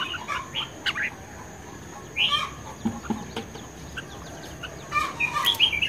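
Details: Red-whiskered bulbul in competitive duel singing, fired up and vigorous, May 2020: two short bright warbled phrases near two and five seconds amid scattered faint chirps and a steady high background hiss.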